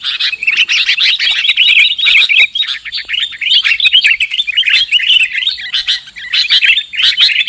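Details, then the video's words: Lure call of sooty-headed bulbuls for bird trapping, a dense, nearly continuous chatter of quick chirps and warbled notes over seven seconds, with only one short lull near the end. "Suara PIKAT Burung KUTILANG"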